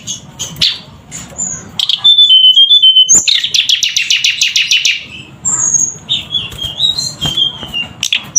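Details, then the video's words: Javan sunbird in lively song: a short level whistled phrase, then a long run of rapid, evenly spaced high chirps, followed by thin descending whistles over a faint low rumble. "Suara Burung Tledekan Gacor"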